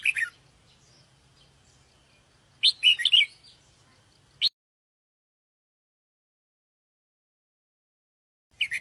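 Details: Lure call of the sooty-headed bulbul, used to attract birds: short clusters of bright, warbling chirps separated by silences, with a faint low hum in the background.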